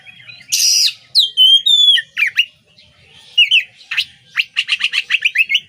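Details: Oriental magpie-robin (kacer) singing a masteran song used to train songbirds: a harsh buzzy burst, then clear whistled slurs, scratchy notes and a closing run of fast, even chips.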